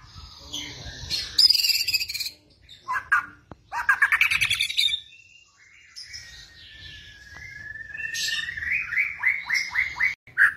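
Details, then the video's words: White-rumped shama singing actively in the kretetan style, used as a lure to prompt other birds to sing: varied bursts of fast rattling chatter and buzzy trills alternate with a long level whistle that ends in rapid repeated notes. "masteran pancingan kretetan burung murai batu gacor"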